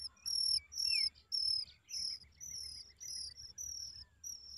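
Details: Oriental magpie-robin nestlings giving high, thin, squeaky notes in rapid bursts, about two each second, each note short and slightly wavering, with gaps between; faint low rumble underneath.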